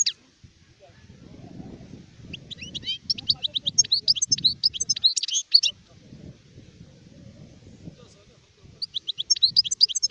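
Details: Adult European goldfinch singing in two bursts of rapid, high twittering notes with short trills, separated by a pause, over a low rumbling background murmur.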